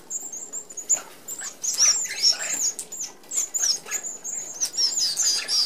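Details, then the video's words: Red-browed finches, an Australian native, feeding as a flock at a mesh-screened open aviary feeder: thin, high-pitched piping calls repeat rapidly and overlap, mixed with soft whirring bursts of fluttering wings. "Red Browed Finches"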